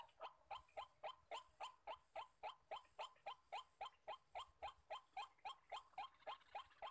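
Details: Wild male white-breasted waterhens calling at a crowded spot used for decoy trapping: a steady, monotonous run of harsh croaking notes, about four each second, evenly spaced throughout.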